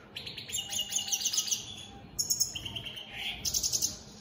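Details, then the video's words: Caged opal split satiné European goldfinch mutation singing: bright twittering phrases of fast buzzy trills and tinkling notes high in pitch, in bursts separated by brief pauses, over faint background hum. "Opal split Satane goldfinches siging"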